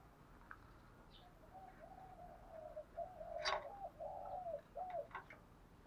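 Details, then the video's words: Spotted dove kept as a decoy, cooing to provoke wild doves; a connected run of hollow, wavering coos, interrupted by a sharp, loud click and a few lighter taps. "chim cu mồi thúc đấu và gáy gọi kích bổi rất xiêng gáy"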